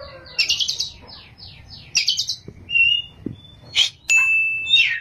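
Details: Oriental magpie-robin (kacer) in its ngerol and nembak singing style: rapid buzzy trilled bursts, thin whistles, then a sharp burst and a long steady high whistle ending in a rasp.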